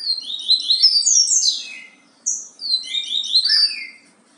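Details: A yellow-bellied seedeater delivers its Bahia song type in two back-to-back bursts, each a fast cascade of high chirps, slurred whistles and buzzes, the second ending in lower falling notes; quiet background otherwise.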